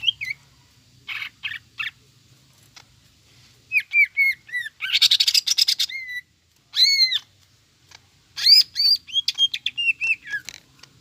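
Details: Greater green leafbird lure song, jamtrok and ngekek style, with tengkek buto fill. Loud arched whistles and harsh chattering bursts come in separate spurts, including a dense scratchy rattle, then repeated looping whistled phrases.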